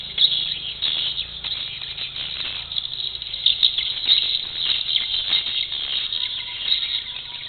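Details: Swiftlets at a Malacca bird house producing an unbroken chorus of shrill, overlapping chirps and rapid twittering from many birds, with the level pulsing up and down throughout.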